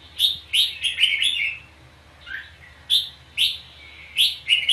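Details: Dueling song of a red-whiskered bulbul during bird trapping, used as decoy sound: crisp whistled phrases in quick clusters, a short lull with a soft lower note, then more bright chirpy phrases.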